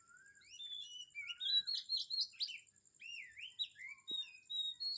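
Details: Birds singing in the morning at Kamphaeng Saen, Thailand: a varied flowing song of clear whistles, quick upward slurs and warbled sliding notes in continuous phrases, over a thin steady high hum.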